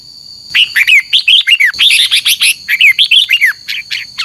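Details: Red-whiskered bulbul in full morning fighting song with doubled notes: an almost unbroken stream of fast, sweet slurred whistles, about three notes a second, over a faint steady high whine.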